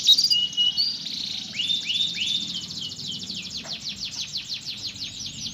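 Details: Canary song used to encourage a lazy canary to sing: short whistled notes and rising sweeps give way to a steady run of fast, repeated down-slurred syllables.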